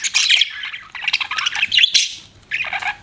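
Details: Pet budgies chirping in a steady stream of fast, scratchy warbles and rapid twittering notes, broken by a short gap near the end.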